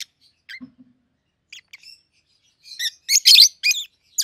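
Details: Pair of captive-bred peach-faced lovebirds, red-headed green opaline and red-faced dark green, aged 7-8 months, giving sparse thin chirps, then a burst of loud, harsh, shrill chirps close together near the end.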